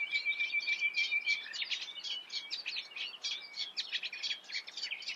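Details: Song of a Eurasian reed warbler in the Eifel: a thin sustained whistle at first, then a dense churring chatter of rapid rasping notes repeated several times a second.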